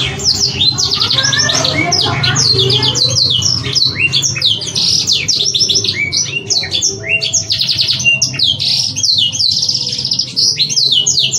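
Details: Canary song used as a lure to spur young canaries to sing quickly and stir breeding urge, with varied tutor phrases: dense, high, rapid trills and sweeping whistled notes in continuous runs over a low background hum.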